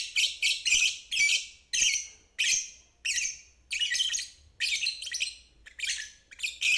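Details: Lovebird 'ngeriwik' trill, used as a lesson for young birds and birds that have stopped singing. Harsh, buzzy chattering bursts roughly every half second to second, each starting sharply and fading, in a steady pulsing series.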